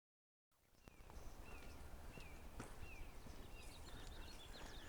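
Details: Red-shouldered hawk calling above East Shepherd Canyon, a suburban canyon in Tierrasanta, San Diego, California: faint, repeated downslurred cries roughly every half second, over steady background noise and footsteps.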